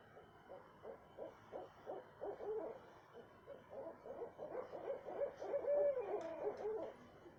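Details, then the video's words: Owl heard at 2:30 am in south central Texas, giving two bursts of rapid low hooting notes, the second longer and louder with a quavering, slightly wavering run near its end; faint steady hum behind. "what kind of owl makes noise like this"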